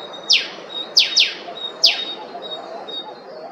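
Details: Eastern spinebill calling in Queensland, Australia: four quick, high, sharply descending chips, two close together, within under two seconds, over a thin steady high whine and low outdoor hiss.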